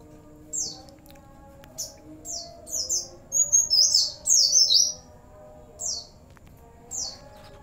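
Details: Oriental white-eye singing 'gacor' with Cililin, sambung bren and cigun fill: scattered high downslurred chips, then a brief dense burst of twittering at mid-clip, with a constant low background hum.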